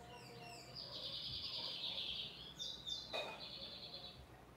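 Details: High buzzy trill and sliding whistles of a Lined seedeater singing firmly, set against a noticeably hissy, noisy background with a sharp click near the end.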